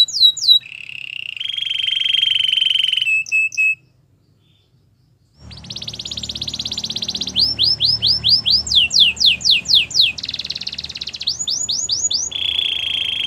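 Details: Canary training song with a break: chips and a buzzy trill, a short silence, then a loud rolled buzz over background noise, falling sweeps and a final trill.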